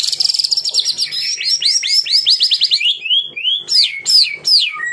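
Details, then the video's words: Murai batu in rapid 'tembakan rapat' song: a steady stream of quick whistled notes, about three per second, sliding downward, then several loud descending slurs. "Tembakan Rapat Burung Murai Batu"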